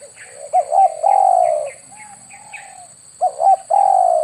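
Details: Spotted dove lure call for hunting with an air rifle. Stuttering coos run into a long mellow falling note, then a fainter coo, then another stutter and a long coo. Faint high chirps and a steady electronic whine sit behind them.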